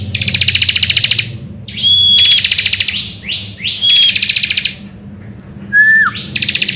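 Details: Morning song of a bar-winged prinia, meant to lure other birds into singing: long bursts of rapid buzzy pulsed trilling, separated by rising buzzy sweeps, thin high whistles and a lower falling whistle near the end.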